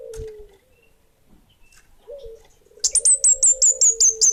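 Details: Orange-headed thrush of the bunga api type, singing vigorously: after a quiet stretch, a fast run of about eight high, sharp, slightly down-slurred whistled notes, each a clipped chip, over a steady low hum.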